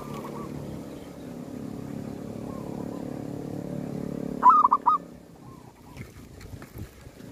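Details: Zebra dove at a cemetery, a bird used to attract wild doves. Faint distant coos come first, then one loud phrase of soft stuttering notes. A low droning hum runs underneath and a few scattered knocks follow.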